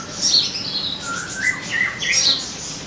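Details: Sogon song meant to make caged birds sing: high, squeaky chirps mixed with lower slurred whistles, in a lively, uneven phrase.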